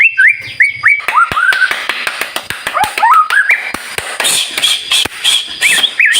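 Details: White-rumped shama singing in lively 'gacor' style meant to spur other shamas to answer: upward-sweeping whistles and slurred phrases mixed with dry clicking ticks, ending in higher, thinner notes.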